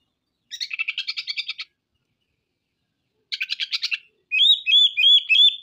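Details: Oriental magpie-robin singing loudly, showing off its repertoire of learned phrases: two bursts of fast, buzzy, rattling chatter, about a dozen pulses each, then a run of bright, repeated whistled notes. No other sounds.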